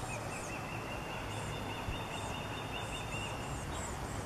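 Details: Osprey mother with her chick, recorded 05/28/21, calling out as the chick moves closer: a long run of short, thin, high chirps in steady succession, with higher whistled notes from other birds above and a low background hum.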